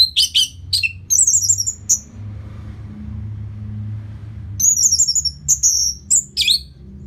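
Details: Orange-headed thrush song from Singaraja, Bali, used as a lure after moulting: sharp clipped notes and thin, high whistles in short phrases, a quiet stretch with low rumbling background, then more high whistled and chattering notes.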